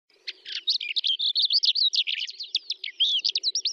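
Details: Calandra lark singing in the Astrakhan steppe, Russia, in May 2017: a rapid, continuous jumble of high chirps, trills and slurred notes, tightly packed and varied, with a faint low hum beneath.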